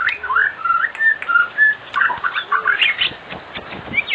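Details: White-rumped shama in afternoon song, a lure meant to prompt other shamas to sing: short whistled phrases with rising and falling slurs, delivered in quick bursts with brief gaps.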